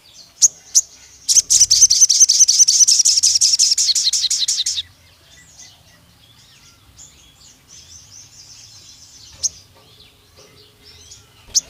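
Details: Sogon, or pied fantail, in an emotional long burst: a couple of sharp chips, then roughly three and a half seconds of quick, high, squeaky repeated notes, followed by quiet with faint distant chirps and occasional ticks.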